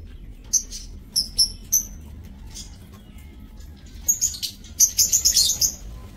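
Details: Lovebirds kept in an aviary breeding cage, dated 30 May 2024, give sharp high chirps in short bursts, a trio early on, then a dense cluster of squeaky shrill notes near the end over a low steady hum.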